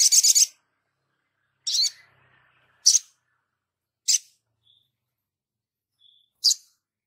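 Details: Sogon in lively song for a bird-training tutor recording: a short fast buzzy trill, then single sharp high chips at roughly one-second intervals, with faint thin whistles between.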